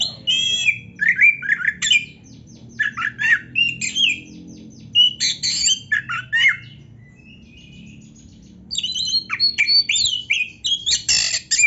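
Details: Oriental magpie-robin (black-breasted type) singing a rich, varied song for provoking other magpie-robins into singing: fast bursts of sweet whistles, slurred rising and falling notes and scratchy chatter, separated by short pauses and a longer gap midway.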